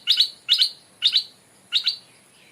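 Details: Stripe-throated bulbul kept as a decoy, reared away from the wild and returned to its home ground, now occupied by a new territory holder. Four crisp double-chirp phrases follow roughly every half second, clear and loud over near silence.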